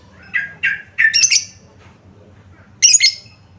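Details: Lovebird calls used as a lure to get silent lovebirds singing: a few short, harsh squawky chirps in quick succession, then a pause and a final shrill burst of rising and falling notes.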